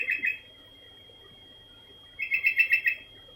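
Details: Sooty-headed bulbul calling continuously: a short burst of bright chirpy notes, a pause of nearly two seconds, then a longer rapid run of six or so bubbly notes, with a faint steady tone throughout.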